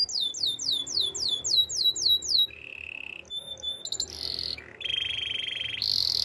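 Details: Singing Belgian canary used for training, opening with a fast series of high, sweeping downward whistles repeated several times per second, then shifting into steady buzzing rolls and a bright high trill.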